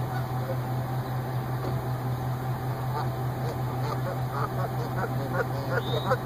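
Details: Mated goose pair reuniting at their parking-lot nesting site after the female's week in care for suspected lead poisoning. Honking starts low and picks up into quick, repeated calls over constant low background hum.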